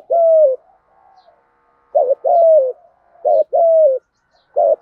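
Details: Good-voiced spotted dove giving thúc gù coos. A long falling coo opens, then after a pause come two phrases of a clipped note and a drawn-out sliding coo, ending on another short note. Quiet background.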